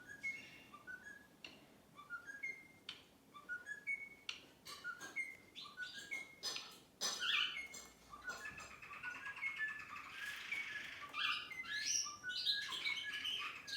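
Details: A cockatiel watching a tablet gives repeated short rising whistles, followed by brighter chirps and chatter.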